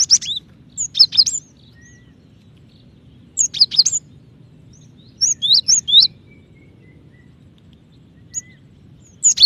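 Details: Female cinereous tit calling the male, meant to make other tits sing faster; short bursts of three or four high chirps repeat roughly every two seconds, separated by quiet gaps.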